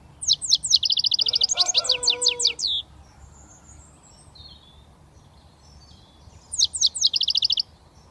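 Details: Young British European goldfinch just starting to whistle: quick bursts of high, twittering notes and fast buzzy trills from about 0.3 to 2.8 seconds, a faint distant bird between, then another trilled burst near 6.5 seconds.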